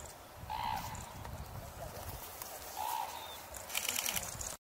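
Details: A Red-crowned crane in the Kushiro wetland area of eastern Hokkaido gives two brief, clear trumpeting notes about two seconds apart, over a steady wind-like hiss with some rustling near the end.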